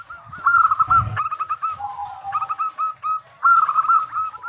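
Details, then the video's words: Local zebra dove singing a crystal-clear lure song for other doves to answer: quick trilling coos, a brief thump, a lower drawn note, then fresh bursts of bubbling notes. "Perkutut Lokal Gacor Suara Super Kristal - Pancingan SapuJagat"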